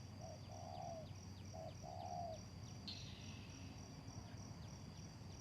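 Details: Spotted dove used as a lure for trapping gives four soft, low coos in the first two seconds, a brief note followed by a longer one, then falls silent; an insect trills continuously and a brief hiss sounds midway.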